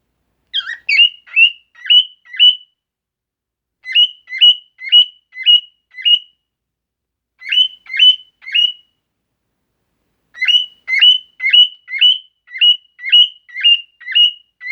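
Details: Bar-winged prinia repeating bright, sharp whistled chip notes in bursts of four to eight, roughly two notes a second, separated by pauses of a second or two, with no other sounds.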